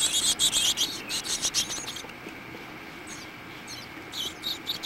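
Carolina chickadee nestlings give rapid, high, hissy chirps in fast bursts, fading briefly and then returning in a second flurry.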